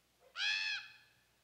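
A Common Raven gives one harsh, nasal, drawn-out cry lasting about half a second: a rasping hunger call against a quiet background.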